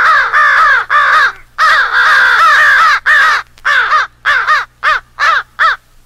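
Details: American crow rally calls, pieced together from several recordings to depict crows fighting an owl: dense, overlapping harsh caws for about three seconds, then separate loud, hoarse caws roughly every half second.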